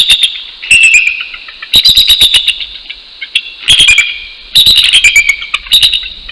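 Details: Wild male and female bald eagle pair calling together at dawn, 6:48 AM, 12 January 2019, at their Northeast Florida nest to show it is their territory: bursts of rapid, high, squeaky chittering notes, six bursts with short gaps.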